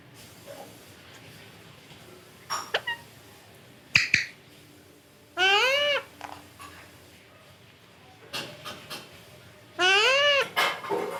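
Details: Scattered clicks and taps, then two loud arched meow-like calls from a pet parrot about four seconds apart, each harmonic and half a second long, heard indoors.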